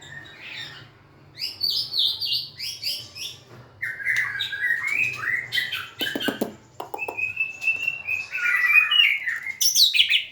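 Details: White-rumped shama, cage-bird songster, singing and dancing; quiet start, then repeated high chirps, warbled whistles and hard clicking bursts, rising to a loud varied finish.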